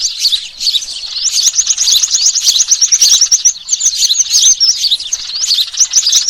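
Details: Lure recording of sparrows and small birds calling noisily: a dense flock chorus of shrill, rapid chirps and twitters, building after the first second into a continuous high chatter against a quiet background.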